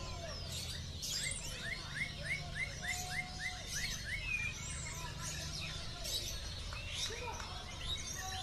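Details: Oriental magpie-robin at a singing competition in Aceh, 2018: a quick series of about a dozen bright, upslurred whistled notes repeated rapidly, with other birds chattering over a steady murmur of crowd noise.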